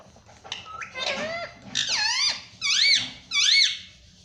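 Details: Pet parrot imitating the word "mummy": squeaky, harmonic voiced sounds, first with sliding inflections, then two loud arched syllables about a second apart, in a small room.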